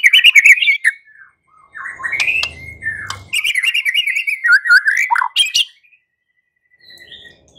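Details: White-rumped shama in fighting song, meant to provoke a reply from other shamas: loud varied whistles and twisting warbles with sharp high clicks, a brief rough low noise, then a long quiet gap and faint notes.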